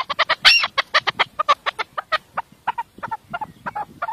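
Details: Chukar partridge calling: a fast string of short, clucking chuk notes, loud and evenly spaced at first, then softer and slightly slower toward the end, with no other clear sounds.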